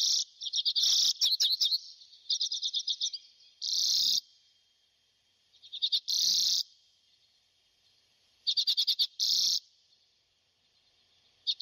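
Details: Arctic redpoll calling: high, buzzy bursts of rapid pulses, given in short series with silent pauses between, some bursts drawn into dry rattling trills; no other sounds intrude.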